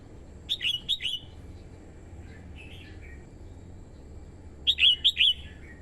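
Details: Decoy female red-whiskered bulbul singing to lure wild birds and excite the male: two bursts of four quick, sharp whistles about four seconds apart, with softer warbled notes between.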